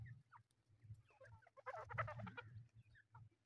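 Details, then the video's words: Grey francolin chicks give short, thin chirps, then a brief burst of harsher, clucking notes, over a steady low hum. "تیتر کے بچوں کی خوبصورت ویڈیو | تیتر کی اواز | دکھنی تیتر کے بچے"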